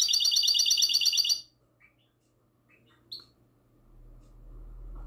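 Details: Goldfinch hybrid in classic song, recorded at night on 22 March 2020. A loud, fast, high, regularly pulsed trill lasts about one and a half seconds, followed by a few faint single chirps and a low hum rising toward the end.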